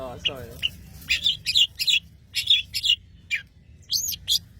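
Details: Long-tailed shrike from Madura singing vigorously: a rapid string of short, sharp, high chirps and buzzy notes in quick bursts, with a brief lower warbled note at the start.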